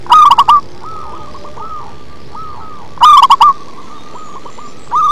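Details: Local zebra dove with a bass-toned voice performing its song: two loud bursts of quick, rough stuttering coos about three seconds apart. Softer rising-falling coos from other doves fill the gaps.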